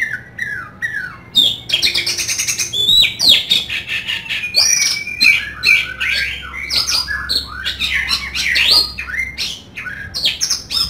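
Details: Singing kacer, the Oriental magpie-robin, bursting out rough fill-in phrases: descending whistles, a long rapid rattling trill, then sharp rising and falling notes mixed with grating chatter.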